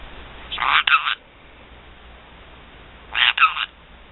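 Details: Pet black-headed caique uttering two scratchy, croaking double calls about two and a half seconds apart, each made of rough paired pulses, with a quiet room behind.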